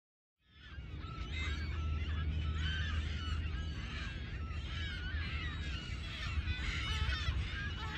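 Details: Thousands of California gulls nesting on tiny islands in Adobe Creek between Mountain View and Palo Alto, California, give many overlapping harsh, yelping mews and squeals in a dense continuous chorus over a steady low rumble of wind.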